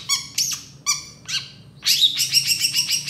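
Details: Long-tailed shrike gacor song with tembakan fill, recorded as a masteran: separate nasal, harmonic chirps, then a dense, scratchy rattle of rapid, high notes.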